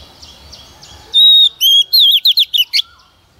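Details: Lure female Oriental magpie-robin singing to stimulate males: a sustained flat whistle, a lower held note, then a fast run of warbling, twisting whistled notes, with faint rhythmic background sounds at the start.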